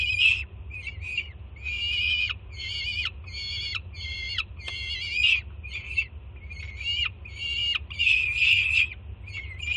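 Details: Juvenile peregrine falcon greeting its mother with food at a Jersey City nest site, June 2017. Rapid bursts of grating, rasping screams come in an irregular chain, several with a broken, stuttering quality. A faint steady hum is audible.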